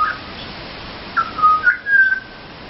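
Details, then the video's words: Pied butcherbird visiting a garden in the Mt Gravatt area, singing while looking for food: clear, flute-like whistled notes, a short one then longer level and sliding phrases over about two seconds. "Pied Butcherbirds singing for food"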